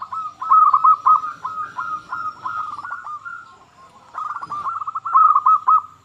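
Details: Zebra dove, a local bird singing eagerly, offered to prompt quiet doves into song. There is a long run of quick, bubbling coo notes, a brief dip, then a second rolling phrase, with a low thud between.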